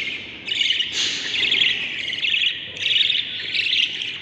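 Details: Budgerigar chicks inside the nest, brood of seven, day 38: loud raspy, wheezing squawks in uneven bursts, several chicks calling at once with brief quieter pauses.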